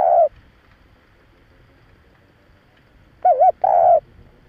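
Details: Spotted dove cooing to lure and excite males in a thúc-gù style: one drawn coo, a long silent gap, then a quick doubled hooting note followed by a sustained mellow coo.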